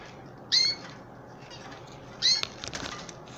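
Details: Two loud, high, slightly downslurred canary chirps about one and a half seconds apart during hand feeding of adults and chicks, followed by rustling and fluttering noises over a low hiss.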